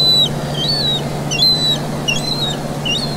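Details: Juvenile gull being fed in Vannes, Brittany, 17 August 2022, giving high, thin whistled begging notes, short and somewhat irregular, with a constant low hum of town noise beneath.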